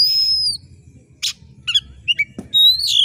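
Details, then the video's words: Kacer, the oriental magpie-robin, in sharp screeching song for rousing competition birds: a long high whistle, a harsh rasp, quick chirps, then a loud rising whistled phrase. "suara KACER GACOR JERIT TAJAM‼️cocok mendongkrak emosi kacer di gantangan"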